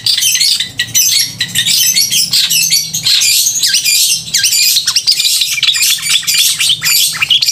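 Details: Long-tailed shrike pouring out a loud, clear song to stir emotion and mating urge in other shrikes: a nonstop torrent of high, scratchy twitters and quick chirps with occasional slurred downward notes.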